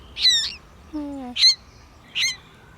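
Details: A lone common moorhen chick, apparently fallen from its nest and calling for a parent in rain during a mid-afternoon thunderstorm, gives three harsh, high squawks about a second apart, with a brief lower, drawn-out tone between the first two.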